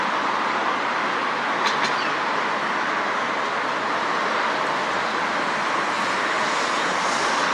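Steady broadband roar of road and rail traffic fills the recording, with a single sharp click near the start and no animal voices heard.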